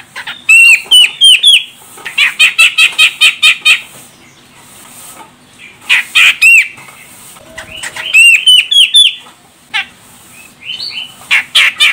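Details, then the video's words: A female Grey-cheeked bulbul (Sumatran "Medan" type), used as a lure to make males call, gives bursts of sharp, high chattering notes, fast repeated trills and clear whistled phrases with short pauses between them. "Cucak Jenggot Medan Betina Ini Bikin CJM Jantan langsung Koar Koar"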